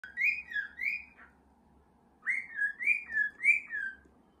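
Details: Pet cockatiels indoors whistle bright rising-and-falling notes, given in quick bursts of three or four about four per second, separated by a pause of roughly a second.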